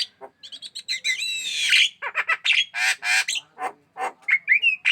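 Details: Javan myna (jalak kebo), a hand-aggressive bird in full song, pours out harsh squawks and rasping chatter mixed with short nasal whistles, in rapid, uneven bursts with brief pauses.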